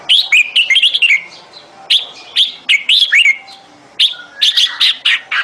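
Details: Bulbul calling for a mate, recorded 28 May 2021: short loud whistled and slurred phrases, some falling, given in quick bursts with brief pauses between groups, on a quiet background.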